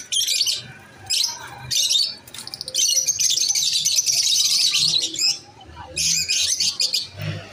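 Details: Shrill, grating chatter of masked lovebirds, bursts of rasping high chirps merging into a long unbroken stretch of noisy chirping, with brief pauses between bouts.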